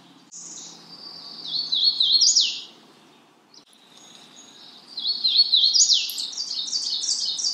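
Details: Magnolia warbler calling in two phrases of quick, sweet, down-slurred high notes, the second building into a rising, louder run after a short silence.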